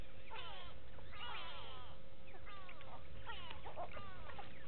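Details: A chorus of go-away birds at a waterhole on Djuma Game Reserve, South Africa, 06/06/18: dense, overlapping downward-sliding nasal calls in two bursts, carried over a steady low-frequency hum.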